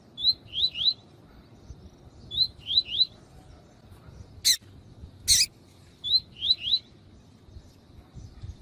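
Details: Double-collared seedeater male in "tui tui" song with a calling female, for training males; groups of three quick upslurred whistles repeated about every two seconds, with two loud clicks in the middle.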